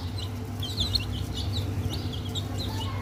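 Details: Several chicken chicks, baby hens among eggs, let out scattered high piping chirps, a few clear single peeps spaced irregularly over a constant low hum.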